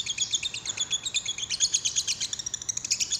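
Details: Lovebird chatter used to provoke another lovebird to sing: a rapid, continuous stream of high, thin chirps, roughly two notes a second, growing denser and louder midway.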